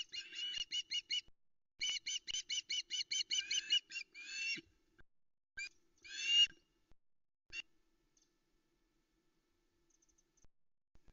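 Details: Osprey female on the Loch Arkaig nest calling for a fish delivery at early morning: rapid trains of high piping notes, a few louder squeals, then fading to near silence.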